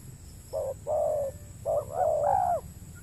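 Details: Spotted dove cooing at a lure-trapping site on peat ground in the Riau Islands, Indonesia: a short low coo, then a longer one, then a pair of drawn-out slurred coos. Steady hum in the background.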